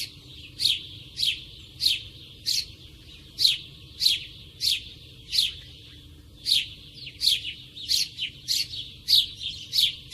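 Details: Sparrow in natural surroundings, recorded close, chirping persistently with bright, sharp, falling notes, roughly eighteen in ten seconds, sometimes doubled into quick pairs.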